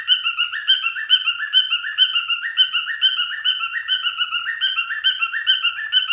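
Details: Courting male cockatiel singing a steady, bubbling warble of bright whistled notes that step up and down in a repeating pattern, roughly two per second, with no other sounds.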